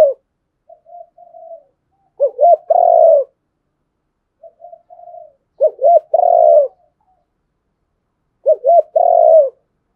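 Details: Spotted dove calling to provoke a wild rival to fight: three repeated phrases about every three seconds, each a soft quiet lead-in, two short arched hoots and a longer throaty coo.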